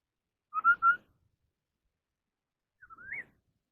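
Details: Chinese hwamei of the 'họa mi đất' kind in a singing contest: three loud, level whistled notes in quick succession, a pause of nearly two seconds, then a softer whistle that rises at the end. Nothing else is heard.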